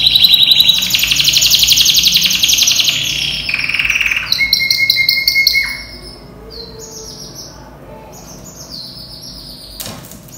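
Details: A European-imported canary, banded and about ten months old, is in breeding condition and sings tirelessly. A loud, dense buzzy trill lasts nearly six seconds, shifting pitch partway through, followed by quieter scattered high chirps and short whistles.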